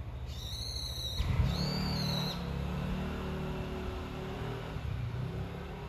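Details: Brown-eared bulbul calling its mate: two loud, drawn-out squealing notes, the first longer and slightly falling, the second shorter and level, with a steady low rumble like traffic throughout.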